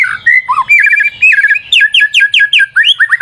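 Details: Song of a white-rumped shama used as a lure, a dense chattering flow of slurred whistles and quick repeated two-part notes.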